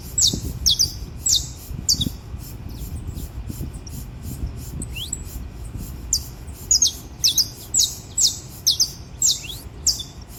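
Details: Wild saffron finch's dawn alvorada: bursts of high, slurred chirps repeated just under twice a second, set against continuous low background rumble throughout.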